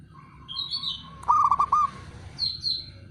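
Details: Male zebra dove calling as a rival challenge: a single quick phrase of rolling low coo notes in the middle, high twittering chirps before and after, over a low hum.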